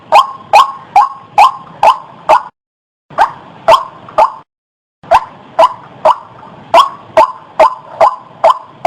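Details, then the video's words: White-breasted waterhen call for bird luring: rapid harsh croaking notes in bursts, interrupted by two abrupt one-second silences, then resuming at the same brisk pace. "SUARA BURUNG RUAK UNTUK PIKAT"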